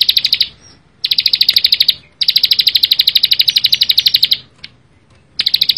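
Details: Lively Bar-winged prinia song: long runs of rapid, evenly spaced buzzy high chips, repeated about three times a second, broken by brief silent gaps; no other clear sounds.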